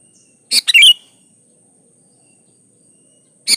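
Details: Gacor song of a sooty-headed bulbul, recorded as a lure to make other bulbuls sing: one quieter phrase of a sharp note and a short falling warble, a long pause, then a single sharp note, with a thin high whine behind.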